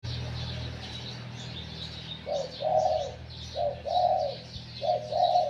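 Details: Wild-caught spotted dove kept as a decoy bird, described as having a medium-to-large voice: three short bursts of mellow, low coos, each a brief note followed by a longer rolling coo. Thin chirps from other small birds sound above.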